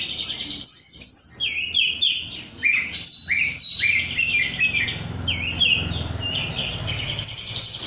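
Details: Caged oriental magpie-robin of Korean strain in full song, pouring out rapid varied whistles, slurred upswept notes and scratchy high trills in a continuous busy stream, with a faint low hum beneath.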